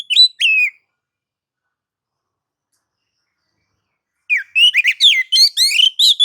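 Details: White-rumped shama song in nagan and ngobra styles, played to provoke other shamas: two short whistled notes, several seconds of silence, then a rapid, loud sequence of ringing slurred whistles.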